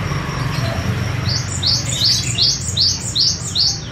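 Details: Java sparrow, a singing bird from Madiun, gives a long rolling song: a fast series of high, clipped notes, each sweeping downward, repeated about every quarter second over a steady low hum.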